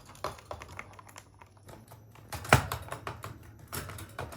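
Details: Rapid computer-keyboard typing fills a small indoor room, with clustered soft taps, one loud knock midway and a faint constant whine, and no animal calls present.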